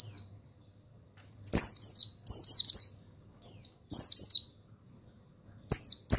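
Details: Male mountain white-eye of the buxtoni (Bustomi) form, played to stimulate other caged birds to sing; sharp high twittering bursts of about half a second, descending and chattering, in groups of two or three with pauses, with faint clicks.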